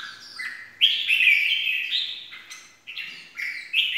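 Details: Red-whiskered bulbul in the 'ché' song style, played to stimulate and lure other bulbuls: bright whistled phrases between mid and high pitch, with a rising note near one second, then a pause and livelier bursts toward the end.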